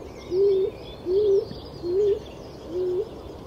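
Stock dove giving four low, rising coos, each about a third of a second, repeated a little under once a second. Faint hiss and distant high bird sounds behind.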